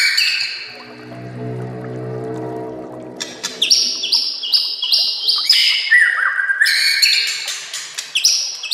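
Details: White-rumped shama master song for training other shamas: a low droning harmonic sound first, then bright high whistled phrases and sharp chips repeated quickly.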